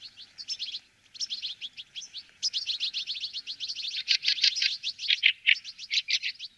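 Fieldfare giving a dense, unbroken run of squeaky, chattering notes, high-pitched and scratchy, growing louder and harsher toward the end.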